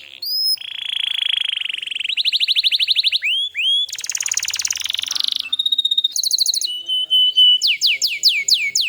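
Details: Canary singing in a recording meant to train young birds and coax silent canaries into song. Rapid trills, a sustained whistled tone and a harsh buzzy roll are followed by rows of quick upswept notes, with each tour switching abruptly.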